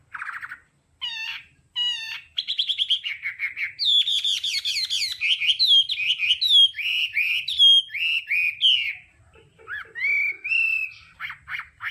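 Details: Hwamei delivering đảo âm song for voice training: a few separate sharp upslurred whistles, then a dense, varied stream of rapid ringing notes and trills, closing with softer scattered phrases.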